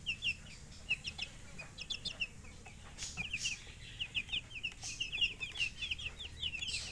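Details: Several chicks cheeping, soft rapid high peeps that swell into a busier run of chirps midway, over a low background hum.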